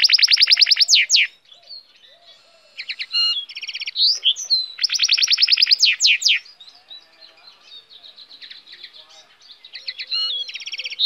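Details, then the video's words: Goldfinch hybrid singing long fast-pulsed buzzy trills broken by twittering phrases and sharp slurred notes, with softer chatter between the loud bursts. "cante de hibrid de sticlet - Mixto de Jilguero - الهجين الحسون"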